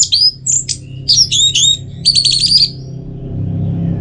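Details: High, thin song from an orange-headed thrush, used to get birds singing regularly: quick clusters of very high, tinkling whistles and buzzy trills over a steady low hum.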